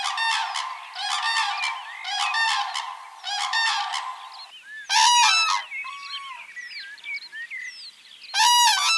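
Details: Wild common cranes calling during their spring courtship dance in the breeding season: loud, trumpeting, harmonic-rich bugles in bursts about once a second, pausing, then resuming, with small birds chirping between phrases.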